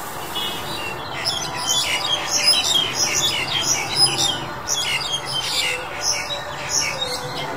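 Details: Black-collared Starling in February 2021 giving a busy run of harsh, squeaky and whistled chattering notes in uneven bursts, over a low background rumble.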